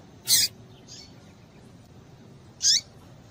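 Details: A pair of piercing, high chip calls about two seconds apart from a female yellow-bellied seedeater, known locally as papa-capim, calling to rouse males; there is a faint softer note after the first and quiet hiss throughout.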